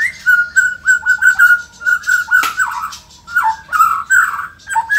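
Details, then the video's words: Indonesian white-rumped shama in strong, vigorous song: a run of bright whistled notes on one pitch, with short downward slurs and varied twittering phrases. "auto emosi !! murai gacor super figter | shama bird Indonesia"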